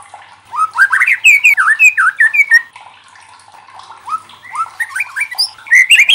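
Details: White-rumped shama song used to provoke other shamas into singing: loud, varied whistled phrases with rising and falling notes in two bursts separated by a brief quiet gap.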